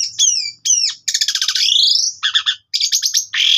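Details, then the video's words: Varied lure song of an Asian pied starling used for training: two falling whistled slurs, then a long grating buzzy phrase that sweeps down, followed by short choppy rattles and a final harsh burst. "PANCINGAN JALAK SUREN GACOR FULL ISIAN"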